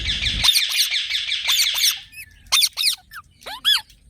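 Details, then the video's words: Green parrots: a dense run of shrill, grating chatter for two seconds, then three separate sharp, down-curving screeches with quiet gaps between. "Green Parrot Talking Natural Sounds"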